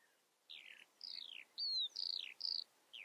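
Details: High descending slurred whistles from a Eurasian skylark, separate notes spaced about half a second apart, some buzzy, one thin pure whistle, quiet surroundings.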